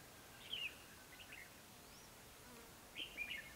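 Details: Red-whiskered bulbul used as a decoy during trapping in a peach orchard in Hòa Bình, Vietnam, on 29 February 2016; two short bursts of bright, warbled, slurred notes, one early and one near the end, over a quiet background.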